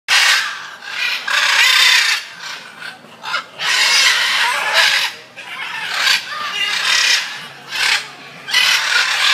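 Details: Macaws at Bangkok Safari World give harsh, raspy squawks in long rough bursts, one after another, with short pauses between them.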